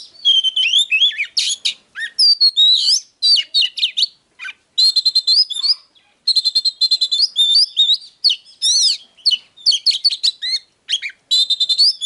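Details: Agitated song of a caged Oriental magpie-robin used for training: loud bursts of rich whistles and rapid trilled chirps, phrases broken by short silences, some notes sweeping up and down, with no other sounds.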